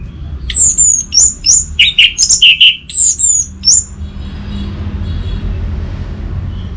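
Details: Song of an orange-headed thrush, played to prompt silent birds to sing: a rapid string of sharp, high downslurred whistles about twice a second, mixed with a few lower rich notes, then fading to quiet background hum.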